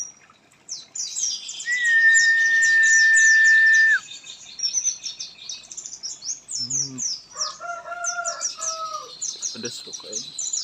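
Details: Oriental white-eye after misting, twittering continuously in fast, high chirping runs, overlapped early by a long, flat, whistle-like tone and later by lower clucking, crow-like notes.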